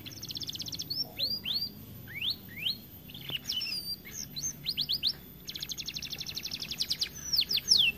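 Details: Overweight canary singing: a short high trill, a string of separate slurred whistles with pauses, then a fast, high rattling trill and a final sweeping note.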